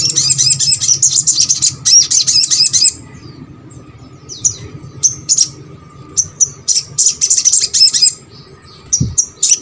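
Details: Crimson sunbird song used to prompt reluctant birds of the same kind to sing: a fast, high-pitched buzzy trill, a pause, then a sequence of brief, piercing chirps and a renewed trill burst.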